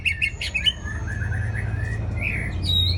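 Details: White-rumped shama (Aceh murai batu) lure song used to attract birds: quick whistled and chirped notes at the start, then a run of short slurred downward whistles and a rising phrase, over a steady low hum.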